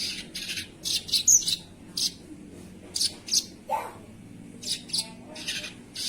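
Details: Gacor sogon delivering high, scratchy, buzzy chirps in quick pairs and triplets, spaced roughly every half second, with one lower swooping note midway.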